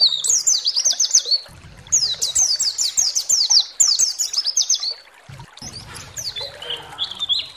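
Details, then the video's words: Pleci (white-eye) song used to excite other birds: three rapid bursts of high, tightly repeated slurred notes separated by short gaps with low rumble, followed by softer scattered twitters. "SEMUA PLECI GACOR BAKAL EMOSI DAN NGALAS BUKA PARUH"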